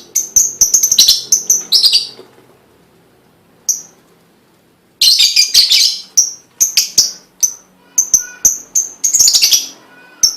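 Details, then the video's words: Lovebird lure song used to prompt other lovebirds to sing: rapid bursts of sharp, high chirps and twittering notes, a near-silent pause of about three seconds, then dense chattering chirps resume until the end. "full bunyi pancingan love bird"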